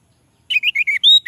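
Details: Orange-headed thrush song snippet for prompting males to sing: a quick string of five or six slurred whistled notes, wavering up and down, ending in a longer clear rising whistle.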